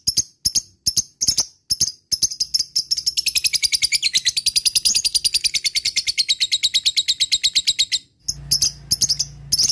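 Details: Lovebirds replying to a lure recording used to coax the long ngekek chatter: separated high chips at first, then a fast continuous run of sharp high-pitched pulses lasting several seconds, ending in a pause and a few more chirps.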